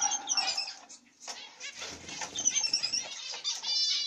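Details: Zebra finch pair, black-cheeked masked mutation male and carrier female, with their chicks in the nest, giving a busy mix of short, high, nasal calls and chatter, overlapping in quick succession with a brief pause near the start. Zebra finch.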